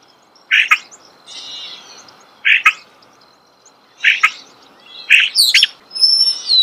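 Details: Starling heard close by in nature, with short harsh clicking chirps repeated every second or two between soft buzzy notes, ending with thin high whistles.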